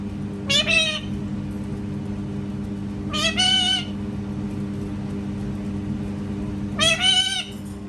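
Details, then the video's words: Parrot imitating a cat with three drawn-out, harmonic, meow-like cries spaced about three seconds apart, each rising slightly and ending abruptly, over a constant low indoor hum. "PARROT MAKING CAT SOUNDS"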